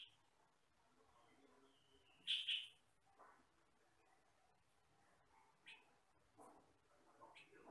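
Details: Yellow-and-black sutra form of the sooty-headed bulbul used as a training master: one loud doubled harsh chirp near the start, followed by softer scattered short notes and faint background sounds.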